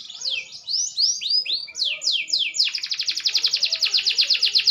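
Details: Maturing green canary singing: a run of loud descending swept notes, then a rapid, even high trill pulsing about four times a second.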